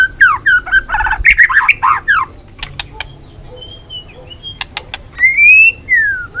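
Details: White-rumped shama balak 6 lure song: a burst of jumbled warbling notes, sharp clicks, a soft thin whistle, then a loud arched whistle.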